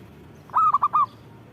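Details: A perkutut, or zebra dove, sings actively, giving one brief phrase of four cooing notes: a longer first note, then three quick, slightly falling coos, over a quiet low background hum.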